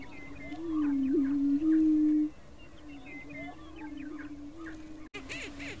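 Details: Greater prairie chicken in Colorado, USA, giving a low, hollow, moaning hoot held nearly two seconds with a slight waver, then a softer droning hum, with faint chirps of other birds behind.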